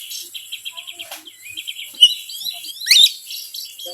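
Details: Lure song of an Oriental magpie-robin, known locally as kacer, played to provoke other birds: a quick run of repeated short chirps, then rising whistled slurs ending in a loud sharp note.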